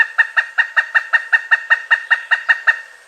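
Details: Loud, steady series of sharp kuk-kuk-kuk notes from a pileated woodpecker, around five per second and fading slightly at the end, with ringing harmonics and no other sounds.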